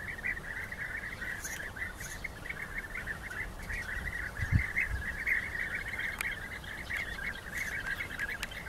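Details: Rival European bee-eaters fighting: dense overlapping trilled calls run without pause through the whole stretch, over a low background rumble with a couple of brief thumps near the middle.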